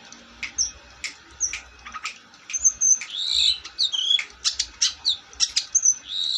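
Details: Long-tailed shrike singing, mixing sharp clicking strokes with slurred whistles and wavering squeaky phrases at a lively, uneven pace.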